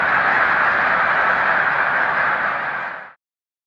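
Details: Huge flock of snow geese taking off en masse as a boater approaches, March 2021: a dense, continuous roar of overlapping honking calls that cuts off abruptly after about three seconds.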